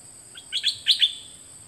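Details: A short, bright phrase from a dok taeng bird, one of two birds recorded in 2020 for training young birds to sing. It has two pairs of high chirped notes rising in pitch over faint, steady background hiss.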